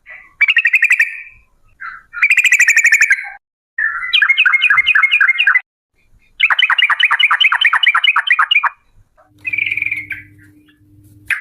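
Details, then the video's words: Yellow-vented bulbul trilling in 'ropel' style, described as a female. Several bursts of buzzy, rapid notes and falling chirps, followed at the end by a softer phrase over a steady low electronic-like tone. "TRUCUK gacor UPLIK NGEPRUL pancingan trucuk agar BUNYI, jadikan burung trucukan BUNYI ROPEL"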